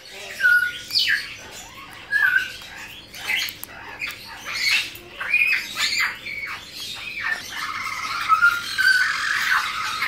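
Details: Tame young blue-winged macaws, a hand-raised captive male and female born in 2017, mix short clear whistled notes with harsh squawks in irregular bursts, sometimes several in a row.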